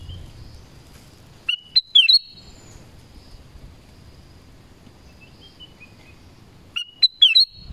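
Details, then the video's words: Forest-dwelling black-crested bulbul giving two clear whistled phrases, each a quick set of slurred, bouncing notes, separated by about five seconds of quiet with faint low background rumble. "BLACK CRESTED BULBUL SONG & CALL"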